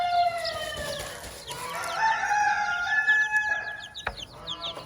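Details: On a farm, a hen with her chicks gives a long, smooth, slightly falling drawn-out call, then softer clucks, while her chicks keep up a steady stream of short, high, upswept peeps.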